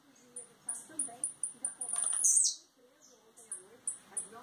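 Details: Blue-black grassquit, Campos dos Goytacazes, Rio de Janeiro, Brazil, just out of molt. Sharp high ticking notes quicken into a buzzy trill that drops steeply at its end, then isolated high notes resume. Faint low murmur behind.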